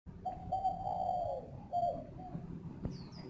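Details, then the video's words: Captive spotted dove at a bird-breeding garden in Ba Vì, Hanoi, Vietnam, singing in the "giọng pha" mixed-voice style: mellow low coos, one long drawn-out note then shorter falling ones, with faint high chirps from another bird. "chim cu gáy GIỌNG PHA"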